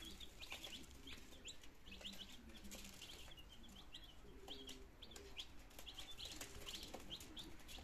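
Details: Nineteen healthy domestic chicks on their second day, kept in Germany, recorded 17 September 2022 as they begin trying to eat and drink; dense high, short peeps overlap continuously against a steady low hum.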